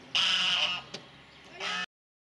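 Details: Goose guarding its territory at Azannes: one drawn-out harsh honk followed by a brief second honk before the sound cuts off.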